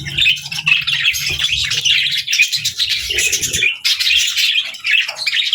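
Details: Cheerful twittering from pet budgerigars kept with lovebirds: quick high chirps and whistles in bursts, over low rustling and a short quieter spell near four seconds.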